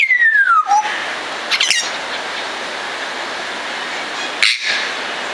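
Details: A Congo African grey parrot (Psittacus erithacus erithacus) at Warsaw Zoo gives a clear whistle sliding down in pitch, then two brief harsh, raspy bursts, one ending in a short high whistle, over steady background hiss.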